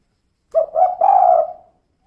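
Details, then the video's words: Female spotted dove giving a single low cooing phrase, called kuk 2: a short rising note, then a longer, drawn-out, slightly falling coo, against a quiet background. "Suara Burung Tekukur Betina Kuk 2"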